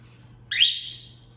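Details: Single loud rising whistle from a female cockatiel taught a cat call by its owner, sweeping up sharply and then trailing off on a steady held note, over a faint low hum.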